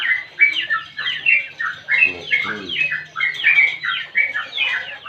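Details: Sooty-headed bulbul singing a long 'ngropel' song, a rapid, bubbling series of whistled and scratchy slurred notes in repeated bursts, with some faint lower rattling underneath.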